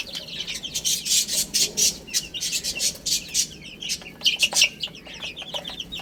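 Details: Chicks pecking at spinach, with loud broadband tapping bursts from feeding mixed among many high, thin chirps from the group.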